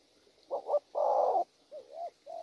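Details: Spotted dove, a wild-caught bird, giving a brief cooing burst: a quick double note, a long rolling coo, then two soft wavering coos.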